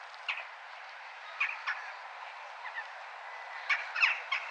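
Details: Noisy crow in a town: short, harsh calls come in irregular clusters over a steady hiss of town noise.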